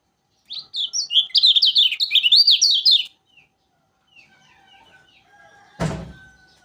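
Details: Lombok yellow flowerpecker in full, persistent song: a loud, rapid two-and-a-half-second string of high, sliding twittered notes, followed by faint scattered chirps and a sudden dull thump near the end.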